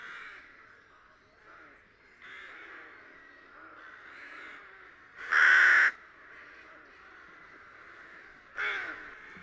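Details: Rook calling in spring, as rooks return to Lithuania: a loud harsh caw near 5.5 seconds and a shorter one near 8.7 seconds, over a background of fainter, distant rook chatter and caws throughout.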